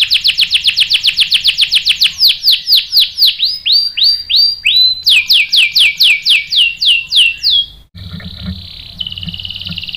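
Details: Canary lure song for provoking a male to sing back. A series of downslurred whistles slows and then steps higher. It ends in a lower, buzzy, continuous roll.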